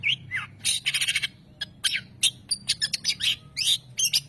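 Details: A long-tailed shrike mixes bubbling whistled slurs with dense harsh chatter and sharp clicks, switching phrases every second or so over a low background hum.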